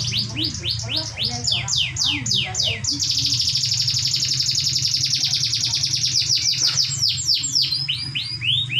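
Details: Canary singing to prompt other canaries to answer: a run of quick downward-sweeping whistled notes, then a long fast rolling trill, ending in more descending sweeps, with a constant low electrical hum underneath.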